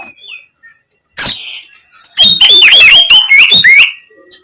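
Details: Oriental magpie-robin giving harsh 'kasaran' material to make rivals puff up. After a soft whistle and one loud raspy note, a fast sequence of looping whistled notes and scratchy chatter runs for nearly two seconds.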